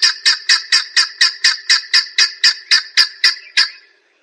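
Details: Grey junglefowl calling: a fast run of harsh, clucking notes about four per second. The notes are even and steady, then stop abruptly near the end.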